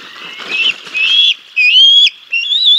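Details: Bald eagles at the Decorah North nest on 6 May 2022, the male bringing a fish and feeding the chicks: high, thin whistled notes, a few drawn-out slurred calls with short pauses between them.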